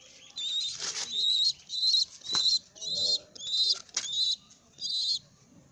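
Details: A baby pigeon walking around gives high, thin, wheezy squeaks in short bursts, about one every second, with soft rustling and shuffling between them.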